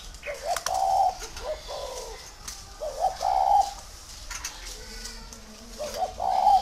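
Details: Tamed, captive spotted dove cooing: three low, hollow phrases around 0.7, 3.3 and 6.3 seconds, each a short lead note followed by a longer drawn-out coo, with faint chirps and clicks in the background.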